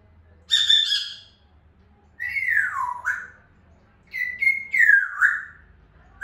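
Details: Grey parrot, an African grey, giving a brief harsh squawk, then clear whistles that dip and rise, with several short whistled notes bunched near the end.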